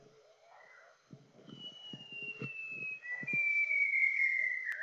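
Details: White-browed shama, an endemic resident of Greater Luzon in the Philippines, giving long clear whistles that slide slowly downward and swell in loudness; soft low knocking and rustling sounds earlier in the recording.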